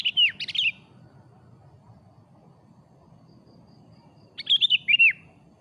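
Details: Sooty-headed bulbul singing in the afternoon, used as a lure bird: two bright bursts of quick, warbling notes falling and rising around the middle-high range, with a quiet gap between them and faint low background rumble.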